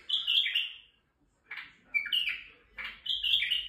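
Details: A male White-eared bulbul in Turkey, singing to excite females, gives three bright, bubbling whistled phrases, each about a second long, separated by brief pauses, over faint low background noise.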